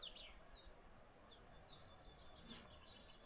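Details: Leaf warbler singing in wild mountains of the Vigezzo area on the Swiss border, early hot summer days with last snowfields above 2000 m: eight high, sharply descending notes repeated about three times a second over steady background hiss.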